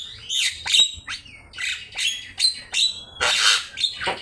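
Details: Javan myna singing on a training master recording: short harsh squawks and whistled notes in separate bursts about every half second, one longer raspy phrase near the end.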